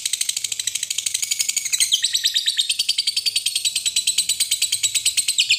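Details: Lovebird ngekek, a long trill meant to make young lovebirds sing diligently and learn it: a fast, steady chattering rattle of high harsh pulses, about three per second, running the whole time without pause.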